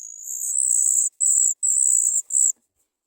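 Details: Three Sooty chat nestlings waiting for food, giving high, thin, hissing begging calls in four sustained bursts over about two and a half seconds, separated by brief gaps, then silence.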